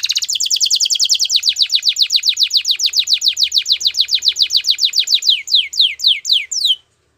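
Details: Canary singing a long, fast trill of rapid high notes. Near the end the notes slow into a few separate downward-sweeping whistles, then the singing stops.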